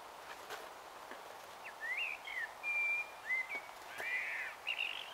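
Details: Warbling evening song of a common blackbird at dusk, Taunton, Somerset, 21 March 2018 at 18:12: a continuous run of smooth fluted notes sliding up and down, with a few faint clicks in the background.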